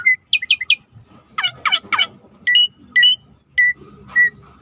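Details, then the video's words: Starling, called suret, singing vigorously for a tutor recording: short high whistled notes in quick triplets, then buzzy descending strokes and clear two-part whistles spaced about half a second apart, with faint low background rumble. "Suara jarak Suret gacor /the sound of the starling suret gacor masteran"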